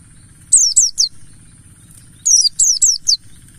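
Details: Used as a lure to start white-eyes singing, this mountain white-eye (Pleci Buxtoni ngalas) gives two bright bursts of three to four rapid, high, downslurred notes about two seconds apart, with a soft steady hum underneath.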